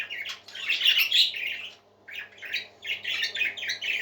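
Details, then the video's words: Several parakeets singing happily: dense, fast warbling chatter of scratchy chirps and squeaks, two long bursts separated by a short pause, loud and continuous, all high-pitched. "Happy Parakeets Singing"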